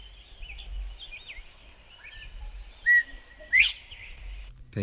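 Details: Northern Bobwhite from a 1961 guide to eastern and central North American bird songs, whistling a clear two-part call: a level note, then a loud, sharply rising 'white', with faint chirps of other birds behind.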